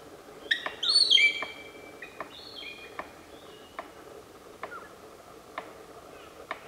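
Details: A palm cockatoo drums as part of its courtship display to attract a mate: sharp, hollow taps, evenly spaced a little under a second apart, about nine in all, with high whistled notes near the start.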